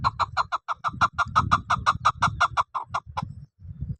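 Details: Chukar partridge, a hunter's bird: a rapid series of about fifteen hoarse chuck notes, evenly repeated for three seconds, then stopping, with low rumbling background noise throughout.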